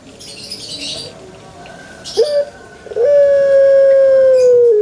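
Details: Quiet soft sounds and a brief rising note lead into a male Barbary dove's long, smooth, steady coo held nearly two seconds before a slight drop.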